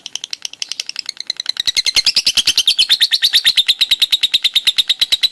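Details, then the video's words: Lovebird ngekek konslet: spaced sharp chips speed up within the first two seconds into a dense, rapid, high-pitched rattling trill that holds steady to the end. "Burung lovebird ngekek konslet"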